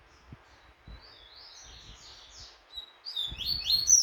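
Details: A double-collared seedeater sings while training for a song tournament, giving thin, very high twittering notes that swell into a louder, sharper burst near the end, over faint low rumbles.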